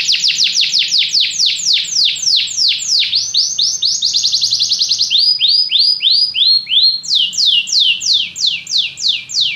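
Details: Varied canary song moving between fast downward slurred whistles, a tight rapid trill, and slower evenly paced sweeping notes at different pitches.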